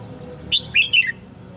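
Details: Red-whiskered bulbul giving a fighting song at a trapping session with a decoy bird, 19 March 2016: one quick phrase of three or four bright, slurred whistled notes, rising then falling, over a faint low hum.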